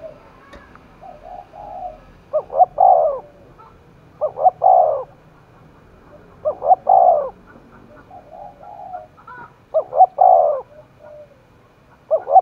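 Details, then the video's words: Cooing of a spotted dove stirred up to fight, Đồng Nai, Vietnam. Four strong mellow phrases, each a short double note then a drawn-out coo, spaced about two to four seconds apart. Quieter low coos sound between them. "cu gáy thúc đấu vang cả núi rừng đồng nai, cu gay kich boi nhanh noi gù"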